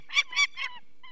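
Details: In Poland's Barycz Valley, on 2 May 2023, an adult female peregrine falcon, alarmed by people removing a sick chick from her nest, gives three harsh, grating alarm calls in quick succession, then a fainter, thinner note after a brief pause.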